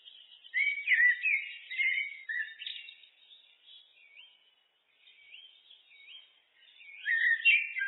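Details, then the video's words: Common blackbird (Turdus merula) singing rich, fluted warbling phrases that rise and fall, with twittering ends, loud bursts near the start and again at the close, and softer, scratchier passages in between. "Blackbird, Turdus merula, birds (looped)"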